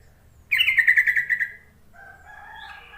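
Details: Lure call of a yellow-vented bulbul for birds that are slow to sing: one fast, throaty burst of rapidly repeated notes, followed by a softer lower warble.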